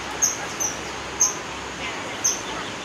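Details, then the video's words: Kingfisher calling: four short, sharp, very high-pitched piercing notes, spaced roughly a second apart, each a quick clipped peep, heard over a steady broad hiss of background noise. "Kingfisher call, 翠鳥叫聲"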